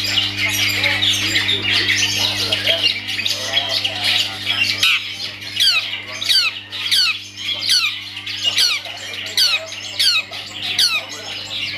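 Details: Caged long-tailed shrike in performance, harsh squawky rasping notes at first, then a run of sharp descending whistled slurs repeated roughly every half second, with a steady electrical hum underneath.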